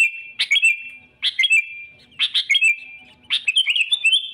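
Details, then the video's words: Constantly singing sooty-headed bulbul, a rival-seeking song meant to draw birds in for trapping: four bursts of bright chirps, each trailing into a short liquid warble, coming roughly once per second. "suara kutilang gacor cari musuh‼️ampuh untuk pikat dan pancingan"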